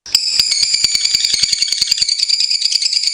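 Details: Lovebirds in a long tutor recording for training other birds: a continuous high, shrill chatter with fast rasping pulses, steady and unbroken throughout, no other sounds.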